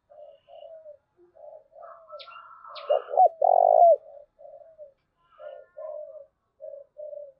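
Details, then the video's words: Spotted dove cooing meant to lure wild doves and make them coo eagerly: a run of short mellow hoots, then a louder, fuller two-part coo in the middle, with a few thin high chirps above. "cu gáy// tieng cu gay thuc boi ve coi hiệu quả nhất"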